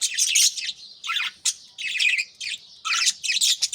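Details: Morning chatter of a group of kept budgerigars with chicks in nest pots: loud, dense high chirping and scratchy warbles in quick bursts separated by brief pauses.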